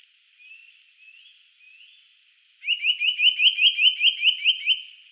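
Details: Eurasian nuthatch, 2018: three soft, slurred rising whistles followed by a loud, rapid series of about a dozen rising piping notes, steady and ringing, with a clean background.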